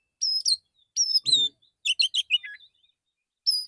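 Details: Male white-rumped shama singing in the morning in a relaxed style, calling other shamas. Clear whistled phrases mix with quick chirping notes and short falling twitters, delivered in bursts with brief pauses.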